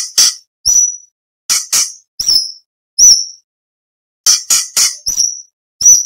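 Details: Orange-bellied leafbird singing varied material for training contest songbirds: rasping chattering notes interspersed with sharp high whistles, repeated in uneven bursts across six seconds.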